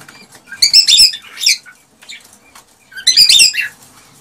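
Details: Cockatiel male singing excitedly to encourage a female to mate and produce young: two dense bursts of scratchy, chattering notes about two seconds apart, with softer chirps trailing each.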